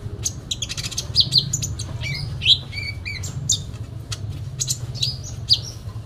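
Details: Sooty-headed bulbul (konin) singing a full fighting-style song: rapid bursts of high, sharp chirps and short squeaky notes, some sliding and whistled, scattered over six seconds above a steady low hum.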